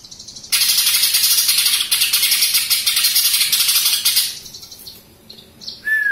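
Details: Moulting young greater green leafbird delivering a harsh, fast rattling chatter lasting about four seconds, then quieter high squeaky notes and a short descending whistle at the end.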